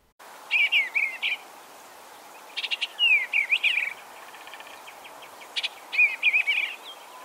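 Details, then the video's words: Eastern Bluebird song in spring, central/eastern United States: three soft warbled phrases of slurred mid-high notes, about a second each, like 'cheer cheerful charmer', with faint clicks between. "one of the eastern bluebird songs sounds similar to cheer cheerful charmer"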